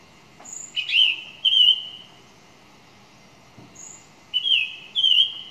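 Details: Song thrush delivering paired phrases: a high thin note followed by a rising whistle and a wavering warble, repeated after a quiet pause of about two seconds.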